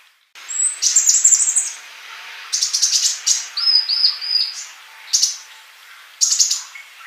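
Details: Training song of an actively singing sunbird (kolibri): high, buzzy trilled bursts and a run of short, even whistled notes, separated by pauses, all very high and thin.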